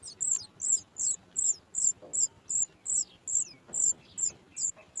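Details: Baby Sooty chat begging at the nest when it hears its mother arriving with food; piercing high chirps repeat at a steady pace near three per second, with faint lower sounds in the background.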